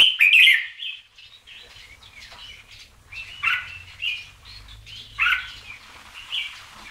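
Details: Red-whiskered bulbul of the Siam type singing: short bright whistled and chattering phrases, rising and falling, repeated in bursts with brief gaps, loudest at the start, with faint low rumble beneath.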